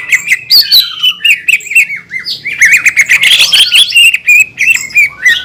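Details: A green leafbird singing hard as a provoking lure for rival leafbirds: quick slurred whistles and sharp clicks tumble together, a busy burst near the middle, then a run of shorter repeated chirps.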